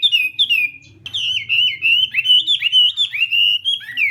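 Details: Morning singing practice by a Chinese hwamei: two clear falling whistles, a brief pause, then a long stream of warbled, looping phrases at a steady high pitch.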